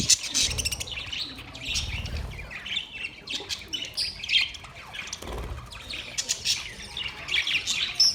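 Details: Several budgies chirping together: continuous twittering warble mixed with buzzy squawks and thin chirps, rising and falling in loudness, with occasional low thumps.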